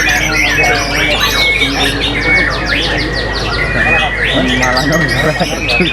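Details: A captive White-rumped Shama (murai batu), noted for a very loud, powerful voice, pours out a rich song of fast whistled sweeps, rattles and chattering phrases, with background music and a little speech; reportedly January, 15:00.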